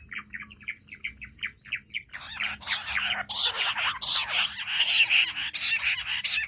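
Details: Bush quail voice, given as a hunting sound: two seconds of quick, regular chirped notes, then a rising, harsh, crowded chattering chorus that grows louder and denser toward the end.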